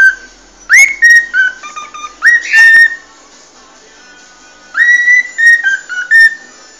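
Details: Cockatiel singing the original song of the species: clear whistled notes near two kilohertz with upward-sweeping phrases, delivered in two bursts separated by a silent pause of about two seconds.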